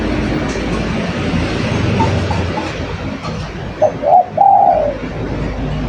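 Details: Spotted dove delivering one clear coo phrase near the end, short notes leading into a long mellow falling coo. Quiet hum beforehand and a few faint distant notes.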